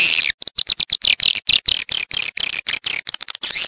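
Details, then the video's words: Swiftlet calling meant to draw a flock into a bird house: loud, very high, buzzy chirps repeated in quick rhythmic bursts, with brief gaps between them. "Cepat tingkatkan kawanan untuk rumah burung walet, ÂM THANH GỌI CHIM YẾN ĐẶC BIỆT VÀ TĂNG ĐÀN NHANH"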